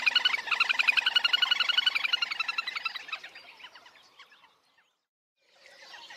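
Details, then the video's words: Chestnut grebe giving a fast, high, whinnying trill of bright repeated notes that slows and fades over about four seconds, then a second trill begins. "chestnut grebe sound"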